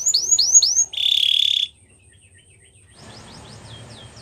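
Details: Training song of a Spanish Timbrado canary. Three quick downswept whistles precede a dense buzzy trill, then near quiet with faint, distant swept notes.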